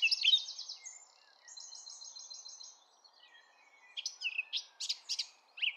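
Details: Eurasian blackcap song in a sunny park: a loud warbled burst opens, then softer scratchy chatter with a rapid trill, and clear fluting phrases return near the end.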